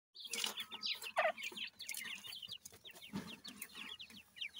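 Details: Captive grey francolin chicks being fed: dense overlapping high peeps and chirps from many chicks, with a few louder clucks mixed in.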